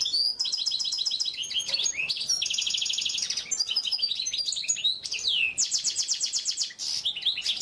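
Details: Oriental white-eye training song: lively high chatter mixing rapid trilled runs, slurred whistles and sharp chirps, delivered almost without pause.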